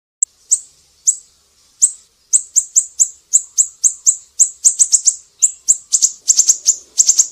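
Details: Siri-siri song, recorded as tutor material for cage songbirds such as green leafbirds, white-rumped shamas and magpie-robins: very high, sharp chip notes, first spaced apart, then coming faster in quick runs and doubled bursts.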